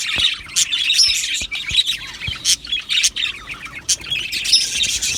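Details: Budgerigars, Australian parrots in an aviary colony, exchange quick high chirps and short whistled notes among chattering squawks, with several sharp tapping clicks scattered through; faint background hum.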